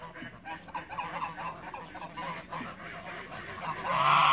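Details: Toulouse geese in a backyard give scattered, gabbling honks, softer at first. The sound builds into a louder, rushing noise over the final second.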